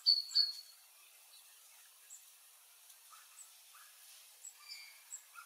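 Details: Adult Eurasian Blue Tit (Cyanistes caeruleus caeruleus), sex undetermined, foraging Scots pine seeds in Sofia, Bulgaria, at midday on 25 December 2023: two thin, high, sharp notes, then scattered soft, faint call notes against a quiet outdoor background.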